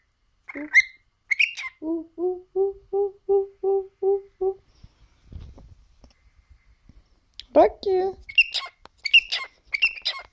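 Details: Pet male cockatiel, three years old, talking and whistling: a few chirps, then a row of six evenly spaced short mid-pitched hoots, a pause, then a rapid string of speech-like syllables and high whistled chirps.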